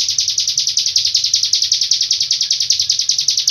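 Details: Long-breath song of a Hill prinia from Cililin: rapid, evenly spaced, buzzy high notes, roughly four per second, strung into one continuous trill.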